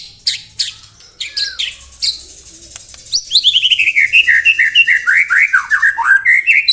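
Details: Murai batu, the white-rumped shama, singing in 'tembakan rapat' style: scattered high sharp notes and a short slurred whistle, then a long fast volley of clipped notes sliding down and up, delivered at a steady rapid pace.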